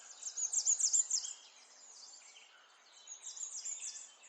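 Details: Morning sparrows give a fast run of sharp, high chirps repeated several times a second, then quieter, scattered twitters from other birds against a soft hiss.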